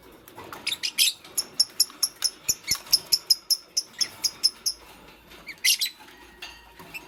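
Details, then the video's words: Fischer's lovebird, green plus pastel, working on a nest, producing a fast run of high chirps repeated about every quarter second for several seconds, then a louder chattering burst and a few scattered calls. "Lovebird Chirping Sounds"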